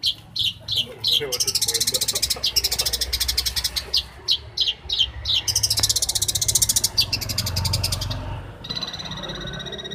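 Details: Champion long-tailed shrike master song: separate sharp notes, then long dense high buzzing trills, switching near the end to a thinner, even, fine trill, with low hum beneath.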